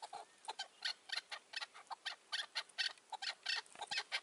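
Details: Chukar partridges, including a wild old bird wary of a rooftop decoy, filmed in May 2024, giving harsh, clucking chuk notes, about four to five per second in a steady, hurried series.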